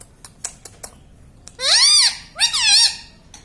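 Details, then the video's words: Pet parrot said to say mummy, papa and radhe. A few sharp clicks, then two loud, arched, speech-like syllables with rich harmonics, the second slightly shorter. "mummy bolta mithu ||papa bolne vala parrot || parrot talking"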